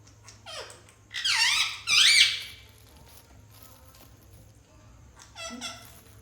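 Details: Pet parrot at play indoors, producing two loud, sweeping squeaky calls that bend up and down, followed by quiet and a softer stuttering squeak near the end.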